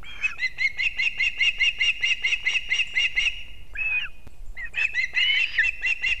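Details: Early-morning osprey nest in Kurzeme, Latvia, 3 September 2024; the male arrives carrying two fish for the young. Fast, even string of piercing chirps, a brief gap with a harsh slurred note, then more excited chirping.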